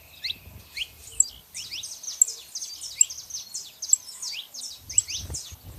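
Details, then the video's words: Male and female saffron finches chattering: a continuous, somewhat distant wash of overlapping high chirps and slurred tweets, punctuated by occasional piercing clicks, with soft low background noise. "canários da terra fazendo barulho fêmea e macho"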